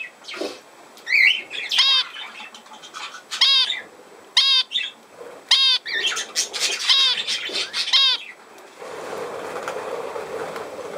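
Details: Budgerigar giving repeated sharp, buzzy call notes about every second, mixed with softer chatter and a rustling hiss toward the end in a small room.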